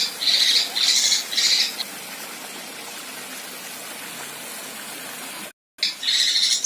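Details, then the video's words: Female kinoi giving harsh, rasping 'tembakan kasar' bursts, used as master material for contest songbirds: three buzzy high bursts in under two seconds, a long quiet hiss, then one more burst at the end. "Besetan Dan Tembakan Kasar Kinoi Betina"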